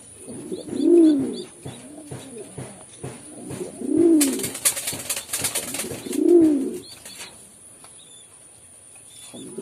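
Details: Pigeon calling in slow, swelling coos roughly every two and a half seconds, each rising and falling, with faint high chirps and a burst of rustling in between.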